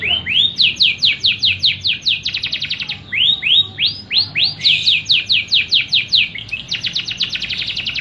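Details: Canary singing in a steady stream: tours of bright upslurred whistled notes repeated in quick runs, switching between slower swooping phrases and tighter rapid bursts, with no other sounds standing out.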